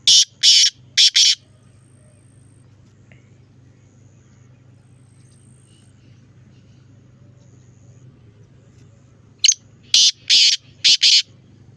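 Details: Black francolin call recorded on 9 October: three harsh, rasping broadband notes open the recording, followed by a long quiet stretch, then a second series of five grating notes; a low continuous hum runs throughout.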